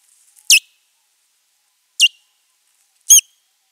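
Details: Osprey in a territorial fight at a nest, April 19, 2023; three loud, sharp, piercing calls, each dropping steeply in pitch, spaced about one to one and a half seconds apart, with silence between.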